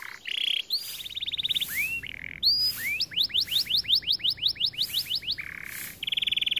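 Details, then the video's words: A white canary sings rolling trills and rising whistles: a buzzy pulsed phrase, quick upward slurs repeated in a steady run, a low buzzy burst, then another rapid trill. "White Canary Bird Singing | Sound of nature | Canary song"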